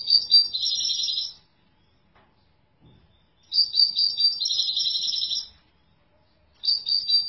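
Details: Song of a European goldfinch in three separate bursts of fast, high, liquid twittering. The middle burst is the longest at about two seconds, with quiet pauses between phrases and no other sounds.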